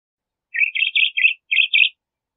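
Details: Brief crissal thrasher phrase: a fast run of rich warbled notes in two bursts separated by a short gap, with no other sounds.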